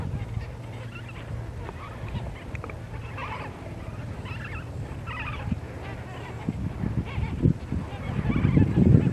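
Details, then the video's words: Flamingos, possibly American flamingos, give a chorus of loud, nasal, goose-like honks, overlapping and repeated several times a second, over a steady low rumble. "Flamingo Bird Sound | Noise | Call"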